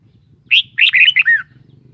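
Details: Caged Red-whiskered bulbul delivering one short warbled phrase: a rising whistled note, then four quick slurred notes, the last dropping downward, over a faint low hum.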